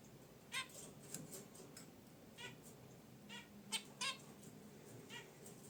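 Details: Zebra finches kept in a cage beside a wicker basket nest give about six clear, nasal, buzzy honks, single or in quick pairs, spread over several seconds against a quiet indoor hiss.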